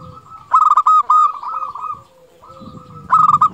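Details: Zebra dove of local stock in full song: strong, bright trilled coos repeated in quick runs, broken by a short pause before a loud final burst, with soft low noise underneath.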